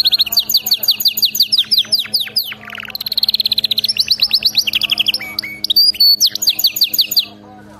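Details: Canary in full song for training: loud, continuous run of varied rolls, rapid trills, swooping whistles and chattering phrases, changing pattern every second or so.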